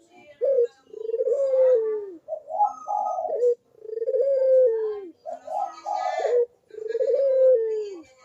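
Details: Actively cooing Barbary dove, the recording serving as a lure for doves that will not sing: a repeated phrase of a clipped note, a long falling coo and a higher burry coo, three times.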